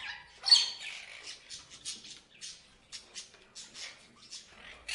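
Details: Parrot chirping: a loud opening squawk followed by a series of short, thin, scratchy chirps spaced about every third of a second, fading toward the end.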